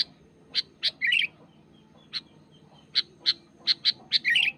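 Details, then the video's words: Sooty-headed bulbul, wild, calling against a rival: evenly spaced sharp chips, each short and bright, broken by two brief harsher chattered bursts, over a quiet low hum. "SUARA GACOR BURUNG KUTILANG MENEKAN LAWAN"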